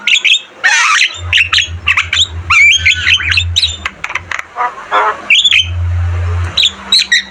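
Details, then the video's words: Javan myna singing vigorously for caged-bird training: scratchy trills and harsh squawks mixed with short whistles in a busy, uneven stream, with a low hum in two stretches. "Masteran burung jalak kebo gacor Terbaik"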